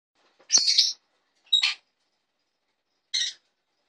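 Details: A jenday conure, out in its new home for the first time, gives three harsh, raspy screeches, the first longest, spaced about a second apart, with nothing else heard around them.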